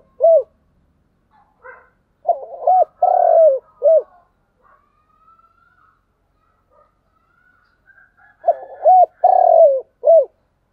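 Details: Spotted dove calling in the thúc gù style. Two full phrases about six seconds apart, each a quick hooked note, a drawn-out purring coo and a short final hoot, with faint high chirps between them.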